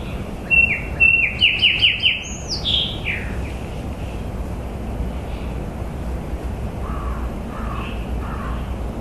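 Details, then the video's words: Bird song opens the recording: a fast string of sharp descending chirps and a high slurred finale, followed by several seconds of faint, distant lower notes against steady hiss and low rumble. "Bird chirping bird singing bird sounds"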